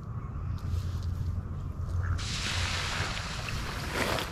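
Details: Low wind rumble and lapping water on a lake, with a splashing wash midway and no animal calls.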